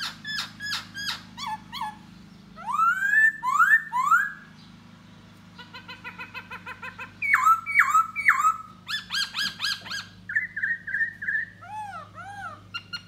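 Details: Singing and dancing to lure a female, a da bò laughingthrush delivers a long varied song: sharp clicky notes, rising slurred whistles, rapid chattering runs and looping arched whistles, over a constant low hum.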